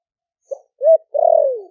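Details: Caged spotted dove from Ninh Thuận, wild-caught and kept four months, cooing in the deep 'thổ đặc' (thổ sấm) style to call wild doves in: a soft short note, an arched coo, then a long drawn-out falling coo.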